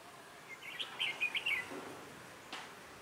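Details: Decoy red-whiskered bulbul singing during trapping on a cold, windy 16 December 2017; one short, faint, warbling phrase of quick chirped notes over a constant noisy background.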